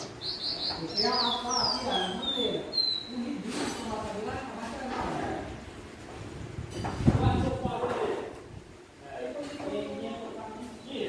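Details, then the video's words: Caged capped seedeater of the pé de serra type, also called serrano or Santa Maria, singing after being brought to its keeper's workplace: a run of clear, high descending whistled notes, some in quick clusters, then a man speaking over the rest. "CABOCLINHO CANTANDO MUITO,ESSE É O CABOCLINHO PÉ DE SERRA"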